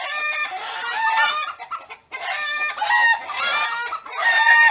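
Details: Rooster crowing in overlapping bursts, harmonic-rich strained calls repeated with short gaps, possibly more than one bird, dense layered tones throughout.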